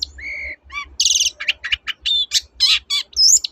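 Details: Long-tailed shrike (cendet) singing in a lively, varied burst of mimicry: a sustained whistle, then harsh buzzy bursts, twangy notes and sharp rising whistles in quick succession, used to prompt silent shrikes to sing again.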